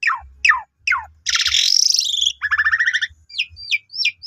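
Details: Asian pied starling, young birds, song used as a lure for other starlings: three descending whistled swoops, a long harsh churring burst, a run of rapid chirps and several short sharp whistles, over light low thumping.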